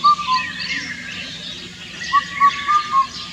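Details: Indian cuckoo's far-carrying song of four hooting notes: one clear whistled hoot at the start, then a full four-note phrase, the last note dropping lower, over a background of other birds' chatter.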